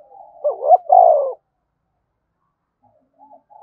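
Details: Spotted dove giving 'thúc bổi' cooing: two short rising notes followed by a strong sustained coo, a long pause, then the start of the next phrase.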